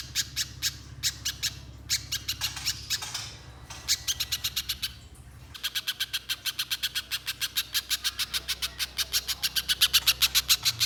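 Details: Little spiderhunter lure song to coax long singing from others: short bursts of high chips broken by pauses, then a long unbroken rapid run of sharp notes, growing louder toward the end.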